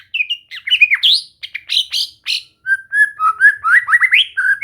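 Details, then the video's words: White-rumped shama during casual training to sing, delivering a fast, varied stream of chattering notes, sharp upward sweeps and steady whistled phrases in quick succession, with no other sounds. "Latihan santai untuk murai batu AGAR MAU BUNYI dan GACOR"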